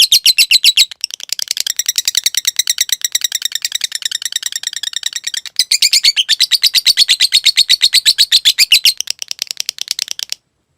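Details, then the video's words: Cage lovebird training recording with long stretches of rapid, harsh chattering trill, broken by two brief pauses, the notes coming fast and even before stopping abruptly. "Masteran Suara Burung Lovebrid Ngetik Ngekek Panjang Materi Mewah"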